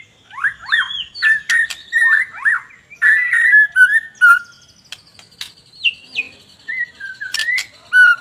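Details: White-rumped shama singing strongly: rhythmic, rich whistled phrases with rapid down-slurred notes, several sharp clicks, and later some higher upslurred whistles, all repeated at a brisk pace.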